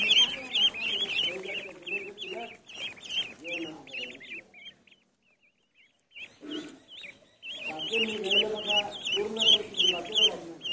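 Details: Duckling in a pond: rapid high, wavering peeps repeated several times a second alongside lower honking or quacking notes, a brief near-silent gap in the middle, then the mixed chorus resumes.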